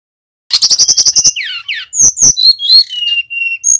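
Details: Male Brown-chested jungle flycatcher from Bali, a caged bird singing steadily: a fast run of about ten high sharp chirps, then downslurred buzzy notes and a string of varied whistled phrases, clear and loud.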